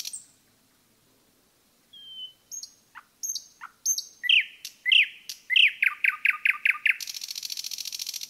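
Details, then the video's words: In a forest, a common nightingale opens with thin, high whistles after a pause. It builds into a loud run of accelerating descending notes and finishes with a dry, buzzing rattle. "пение СОЛОВЬЯ в лесу"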